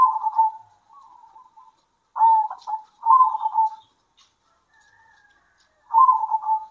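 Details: Zebra doves answering one another at midday, a local strain: rapid trilled cooing phrases that end in longer level notes, several phrases in succession, with faint ticking in the background.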